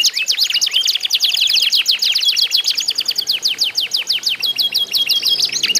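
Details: Canaries in a competitive singing bout, used to spur other canaries into song. Fast rolling trills of sharp descending chirps run nonstop, broken by a few brief whistled notes.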